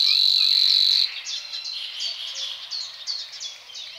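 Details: Savi's warbler (Locustella luscinioides) in reed habitat by water in the Czech Republic gives a loud, dry, insect-like reeling buzz for about a second before breaking off; other birds' scratchy chirps continue.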